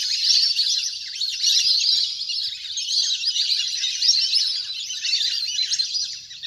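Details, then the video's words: Large wild duck flock splashing about on water, recorded as a hunter's lure to draw birds down; dense overlapping high chirps and squeaky whistles form a continuous chattering chorus. "เสียงนกเป็ดน้ำ! ฝูงใหญ่เสียงคมชัดมาก"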